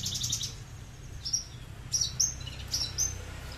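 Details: Horsfield's bushlark of the aliena type, a kept bird, whose song is likened to leci Bali or leci Mataram and can run up to 20 minutes nonstop; short sharp high chirps and trills in bursts over a low steady hum.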